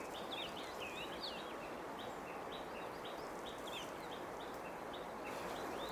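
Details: Chinese grosbeak in sunshine after rain, preening on a Chinese toon tree outside a window. Busy run of short twisting whistles repeated almost twice per second, fading to brief chips, with steady background hiss.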